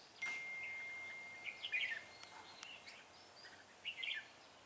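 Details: Trapping decoy red-whiskered bulbul, 6 December 2016: a thin steady whistle-like tone runs near the start, then two short rich warbling phrases of rapid notes follow, with a couple of sharp clicks between.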